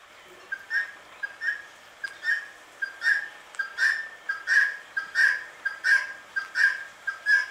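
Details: Calm Indian ringneck parakeet giving sweet, even chirps, bright tonal notes sometimes preceded by a tiny click-like pip, repeating in a regular rhythm of roughly one call per 0.7 seconds with little else audible.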